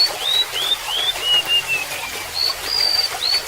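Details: Golden-bellied gerygone singing a sweet descending series of short upslurred whistles that slide lower note by note, followed by a renewed high phrase near the end, with splashing, gurgling water running throughout.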